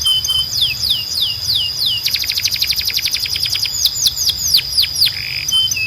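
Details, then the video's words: High downward-slurred whistles from a Belgian canary lead into a rapid rattling trill, then more spaced falling whistles and a short buzzy note, over a faint steady high tone. "Don’t Play This Near Your Belgian Canary… It Might Sing Non-Stop"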